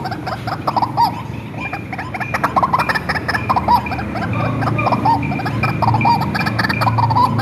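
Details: White-breasted waterhen raised by hand and used to lure other birds: series of grating croaks repeating about once per second, with a low rumbling drone growing louder toward the end.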